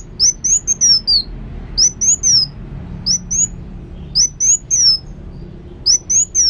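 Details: Sunbird known as kolibri wulung repeating brief phrases of high-pitched twittering whistles, each phrase a rapid cluster of rising and falling slurs separated by short pauses.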